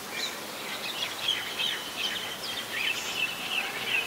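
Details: Oriental magpie-robin, very common resident, singing in Ubon Ratchathani, Thailand, on 17 November 2021; a moderately soft stream of mixed whistled notes and twitters against a background hiss.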